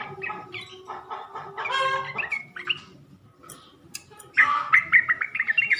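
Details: Sooty-headed bulbuls on a lure recording for prompting males to reply: bursts of bubbly warbled notes, a quieter gap mid-clip, then a bright run of short clear whistled notes near the end.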